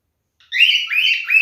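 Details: Male cockatiel in mating behaviour gives a loud, harsh, buzzy squawk broken into a few wavering segments, starting abruptly after a short silence.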